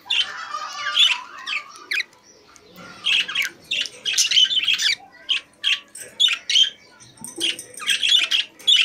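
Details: Budgies in their cage: a rolling trill opens, then a scatter of sharp squeaky chirps and short warbled phrases with brief silences.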